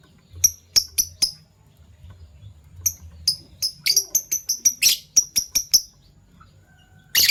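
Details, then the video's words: Fischer's lovebirds in PB Violet and Euwing Gold Opaline forms, in the morning: irregular sharp high chirps that quicken into a rapid series of a dozen clipped notes, ending in a loud rasping burst. "Lovebird Chirping Sounds - PB Violet Fischer & Euwing Gold Opaline Fischer"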